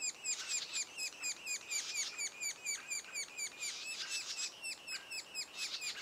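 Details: Sapsucker nestlings two days before first fledging give a steady, overlapping chatter of high, squeaky chirps, about two per second, continuing without a break; no other sounds stand out.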